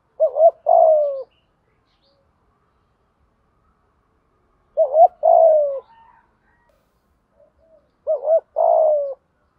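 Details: Decoy spotted dove in 'thúc gù' cooing, used to coax untrained or silent caged birds: three low phrases, each a quick wavering pair then a drawn-out descending coo, about every four seconds.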